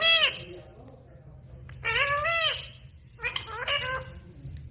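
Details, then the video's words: Talking parrot, said to repeat the phrase "mama roti do" nonstop, producing three separate nasal, voice-like utterances with rich harmonics, each under a second, against a low background hum. "Mama Roti do"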